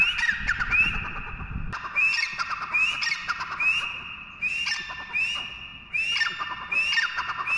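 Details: Partridge, known locally as teetar, giving a repeated call: sharp upslurred whistles followed by harsh squawky notes, bursts recurring about every second, with a low rumbling noise in the first two seconds.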